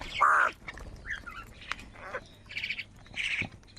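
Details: Crows squabbling over food give a loud, hoarse caw, then several shorter, rougher calls spaced about a second apart, with low rumbling background noise.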